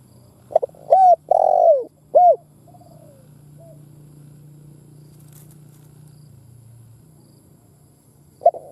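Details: Decoy spotted dove cooing to stimulate other doves, a lure call in the thúc and gù style: a short note and then three hollow, mellow coos, the third long and falling, with a low steady hum underneath and a fresh phrase starting at the end.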